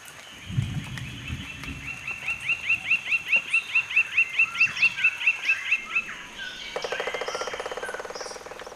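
Lineated woodpecker gives a long, even series of about sixteen loud, ringing 'wic' notes, four to five per second, swelling then fading, followed by a dry rapid rattle.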